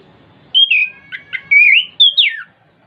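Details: Orange-headed thrush singing, used to coax a caged bird into song: a rich run of sweet whistles, rising and falling, with warbled twists and a final downward slur.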